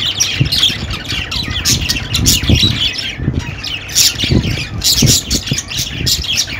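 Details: Lively budgerigar chatter: overlapping harsh squawks, chirps and buzzy warbles in fast irregular bursts, with a short quiet gap partway through and low background noise.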